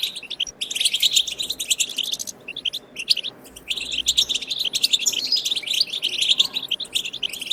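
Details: European goldfinch song played to stimulate goldfinches to sing: a fast continuous high twittering of liquid tinkling notes and buzzy trills, barely pausing, with a faint low rumble beneath.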